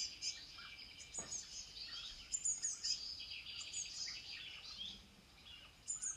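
European bee-eaters give a busy stream of short, high, trilling chirps from several birds at once, overlapping every second or so over a faint background hiss.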